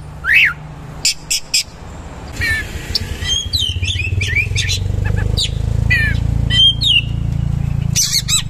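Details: Oriental magpie-robin (kacer) in active 'gacor' song, styled 'materi kasar, roll tembak, isian mewah': loud sharp whistles, chirps and slurred notes over a steady low engine or motorcycle drone.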